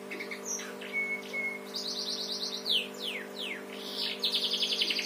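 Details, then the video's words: A captive canary sings a quick, varied run, trained in house-sparrow style: high thin whistles, buzzy rattling trills and falling sweeps, over a steady low machine hum. "Kenari cengkok burung gereja"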